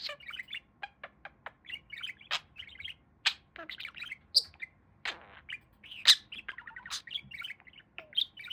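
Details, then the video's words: A male pet budgerigar chatters in a fast warble of high chirps and tweets, broken by a few clicks and sharp, bright squeaks. "Talking Parakeet"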